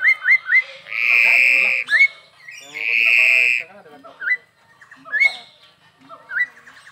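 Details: Lively crested myna at a Perbaungan zoo park gives quick upslurred whistles, then two long, loud, harsh buzzing squawks, followed by scattered bent whistles.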